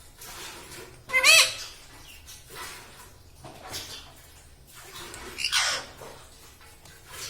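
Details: A ring-necked parrot kept as a talking pet, said to speak words like mummy and radhe radhe. One sharp, bending, harmonic squawk stands out, surrounded by breathy, hissy sounds and quieter background noise in a room.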